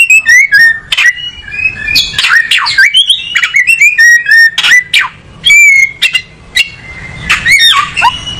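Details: Kacer, or oriental magpie-robin, delivering a rich varied song of loud whistles, downslurred and upslurred notes, and harsh buzzy bursts. A long steady whistle is held near the middle, and phrases follow rapidly.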